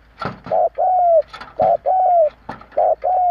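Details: Kept decoy spotted dove cooing strongly to provoke other doves; low, mellow coo phrases of a short wavering note followed by longer steady drawn-out coos, several in quick succession, with sharp clicking knocks between them.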